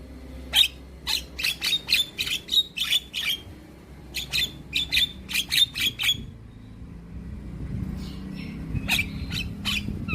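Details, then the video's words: Chattering song of a young Javan myna, meant to prompt quiet birds to sing: a fast series of sharp, clipped chirps repeated roughly every third of a second, a pause, another run, then a few scattered notes over low background rumble. "Kicauan Jalak Kebo Muda Gacor"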